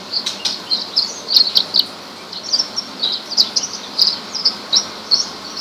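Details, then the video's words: Horsfield's bush lark, described as rare, singing a steady series of sharp high chirps and short trilled notes, repeated several times a second with small gaps. "suara burung branjangan"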